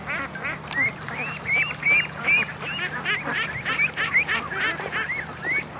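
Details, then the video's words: Several young domestic ducks raised this year, on a 7am morning swim at a lake, give thin, squeaky peeping quacks, rising then falling, nearly three a second; the immature quacking is not yet the full adult quack. "it's so strange hearing uh immature quacking out here because you know usually by the time we get to the lake they've got their full-blown Quacks"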